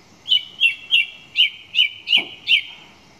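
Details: Song thrush singing a single sharp note repeated seven times in steady succession, each clear and bright, roughly three per second.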